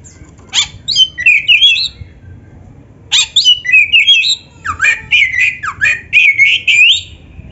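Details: Singing Oriental magpie-robin (kacer), recorded as a master to make young, trainee or quiet magpie-robins sing: loud varied whistled phrases with sharp chips and looping slurs, in two bursts separated by a short pause, over faint low hum.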